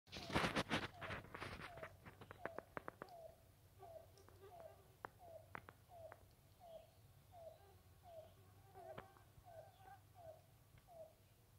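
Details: On 31 May 2023, a Yellow-billed Cuckoo in Torbolton Forest, Constance Bay, northwest Ottawa, gives a long series of low, hollow, clucking notes, about three a second and slowing slightly. Handling noise and a few sharp clicks come at the start.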